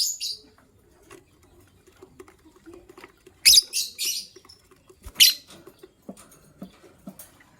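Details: Gray and yellow-green lovebirds, the gray one ready to lay eggs, chatter in the morning with loud rasping high chirps in two clusters, and soft ticks and scuffles in between.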